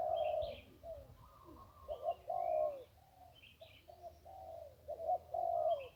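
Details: Zebra dove at the Ping riverside in one-kuk song: a run of stuttering, rolling coos in quick succession, with sharp higher twitters from other birds in the background.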